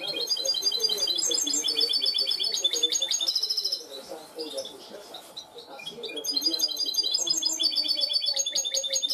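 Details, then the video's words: Goldfinch hybrid schooled to cante limpio, clean song: long runs of fast, high, evenly repeated trill notes, a brief quieter pause midway, then renewed bright rattling phrases over a soft low murmur. "mixto de jilguero educado a cante limpio"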